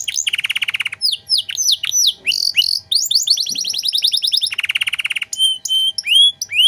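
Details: Lively canary song in the ornate 'cengkok mewah' manner, meant as a master recording for training birds. A harsh buzzing rattle opens, then clipped swept notes and a rapid even trill, another buzzy rattle, and upturned whistles.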